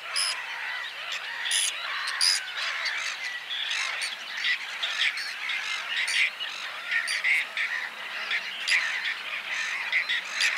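A busy chorus of Whiskered terns: harsh, rasping, overlapping squawks many times a second, with no pause and nothing else clearly heard.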